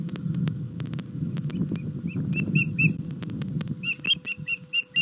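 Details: Osprey pair at the Rutland nest during mating, 21 March 2021: repeated piercing whistled chirps in bursts, faster toward the end, over rumbling wind-like low noise and ticking clicks.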